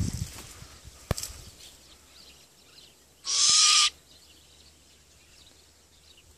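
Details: Hybrid of great grey owl and Malay wood owl gives a single harsh, breathy hiss lasting about half a second, broad and noisy, after a sharp click; otherwise quiet background with faint low rumble.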